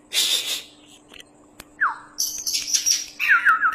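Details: Oriental magpie-robin, described as a champion bird in full song, giving scattered notes: a buzzy burst, a falling whistled slur, harsh high phrases and a short series of three descending whistles, with pauses and a steady low hum.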